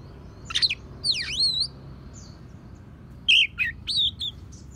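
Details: Oriental magpie-robin performing song stuffed with imitations of sparrows and prinias, meant as a tutor for other songbirds: quick chirps, a swooping V-shaped whistle, then a burst of scratchy notes and twitters.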